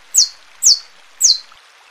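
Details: Three clear, high downward-sweeping chirps from a saffron finch, about half a second apart, part of a song used to stimulate birds and teach young.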